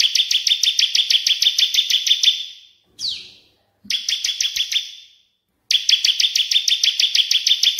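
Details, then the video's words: Cililin versus ciblek tutoring song (AK47 style) for training caged songbirds: long runs of crisp, evenly spaced high chirps, with a brief falling whistle and a quieter burst between abrupt silent breaks. "CILILIN VS CIBLEK AK47 FULL JERNIH"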